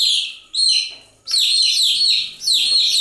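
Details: A crowd of chicks gives shrill, descending cheeps in three loud surges separated by short dips.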